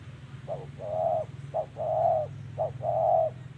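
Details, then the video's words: In 'thổ' voice style, a spotted dove coos during decoy trapping in Vietnam, 2023. It gives three hollow phrases, each a brief note then a drawn-out mellow coo, spaced about a second apart over a steady low droning hum. "Bẫy Chim Cu Gáy Đất Hay | Gáy Giọng Thổ Cực Hay"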